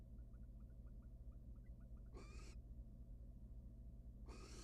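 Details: Wild barn owl at a monitored nest box as the male returns without food and the female shows no interest; two short harsh hissing screeches over a steady low hum, with faint soft chirps early on.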